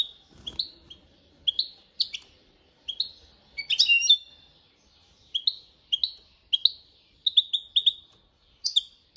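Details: European goldfinch in copia malaga training song, a steady stream of bright twittered notes and short liquid trills, with a brief low rustle near the start.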